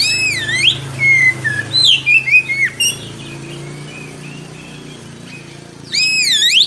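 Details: Oriental magpie-robin, a singing bird kept for training young birds, giving a long rolling song: loud swooping whistles and sharp sweeping notes, then a quieter stretch of soft warbling before another burst of looping whistles.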